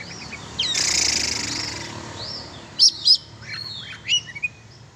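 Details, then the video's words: Kacer (oriental magpie-robin) let out for exercise, giving a quick pair of sharp chirps followed by short whistled slurred notes, after an earlier hiss of broadband noise. "Cara mengumbar burung kacer/sport kacer"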